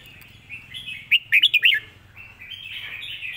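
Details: Red-whiskered bulbul teaching song: soft chattering notes lead into a loud, rapid run of five bright rising and falling whistles, then quieter warbling trails off.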